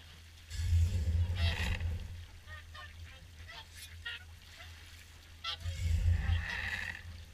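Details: Swans at an evening feed at Caerlaverock, several birds giving short nasal honking calls with stacked harmonics, overlapping and irregular, broken by loud low gusts of wind rumble.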